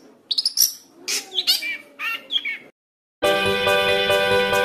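A Long-tailed shrike's quick run of harsh chattering notes mixed with sharp whistles, about two or three per second, breaks off into a pause, then steady music.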